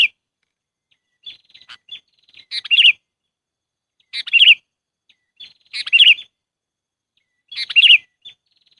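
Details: Sooty-headed bulbul lure sound for trapping: soft twittering chips lead into four loud, bubbly chortled phrases spaced about one and a half seconds apart.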